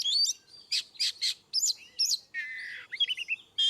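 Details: Magpie-robin ngeplong song intended to trigger response in birds that rarely sing: bright whistles, three rasping buzzy bursts, two sweeping upslurred notes, a drawn-out harsh tone, then rapid chirping notes.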